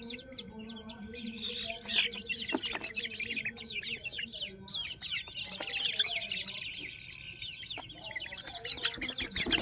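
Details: Crowd of young farm chickens calling nonstop: shrill, sliding peeps tumbling over one another in quick bursts, with brief lulls, a few soft lower notes beneath and scattered knocks or taps, over a constant high electrical whine.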